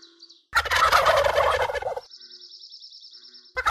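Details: Turkey gobbling: one loud, harsh, rapidly rattling burst lasting about a second and a half, followed by a thin steady high buzzing and then the start of another gobble.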